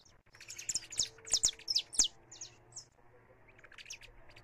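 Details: Saffron finch singing free, recorded live: a dense two-second burst of shrill, high chirps, then softer scattered notes trailing off, with steady low hum in the background.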